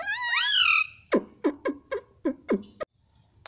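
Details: Pet Indian ringneck parrot giving a loud rising screech, then a quick run of about seven short clipped notes roughly every third of a second.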